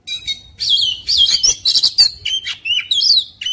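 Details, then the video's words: Oriental magpie-robin in an agitated, fighting mood, puffed up and spreading its tail, singing a fast mix of sharp chirps, buzzy notes and bright rising and falling whistles in dense bursts. "KOMBINASI VARIASI KACER NGAMUK | KACER NGOTOT | KACER NGOBRA | KACER BUKA EKOR | KACER TARUNG"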